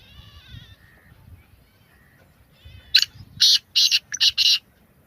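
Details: Black francolin calling: faint thin harmonic notes at first, then a harsh, grating series of five loud broadband bursts in quick succession over quiet low rumbling background.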